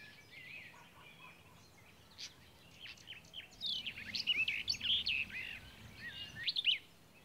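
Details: Red-backed shrike (Lanius collurio) giving scratchy, chattering high notes, quiet at first, then a quick burst of varied squeaky phrases over soft background hiss.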